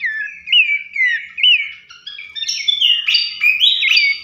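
Horsfield's Babbler song: clear, slurred whistles repeated quickly, rising and falling, with voices overlapping later.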